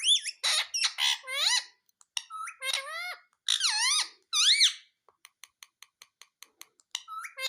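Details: Talking Indian ringneck parakeet repeating mummy and papa: rapid bursts of shrill, rising and falling speech-like syllables for five seconds, then a run of faint, evenly spaced clicks and a final squeaky word.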